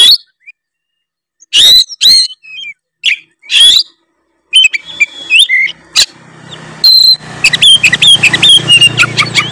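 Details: Oriental magpie-robin of the Tretes type used to provoke rival birds: loud rasping bursts and short whistles at first, then thinner high whistles over a steady low hum and background noise.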